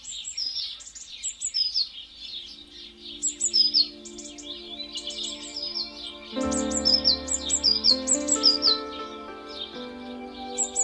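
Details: House sparrow family group at a garden feeding station, described as quite aggressive toward blue tits; rapid high chirps and tweets repeated throughout, heard over loud background music.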